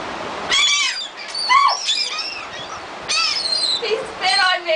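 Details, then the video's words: Gulls being hand-fed by people on the beach at Gulf Shores, Alabama, on 15 December 2007; overlapping harsh, nasal, arched calls in bursts, with several birds calling over one another between short quieter gaps. "Feeding the Gulf Shores Seagulls"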